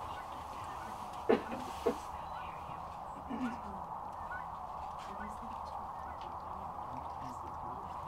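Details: Sandhill cranes massed at Rowe Sanctuary in Gibbon, Nebraska, in March 2014, keeping up a continuous rolling chorus, while loud nearby clicks and soft human voices come through in the first few seconds.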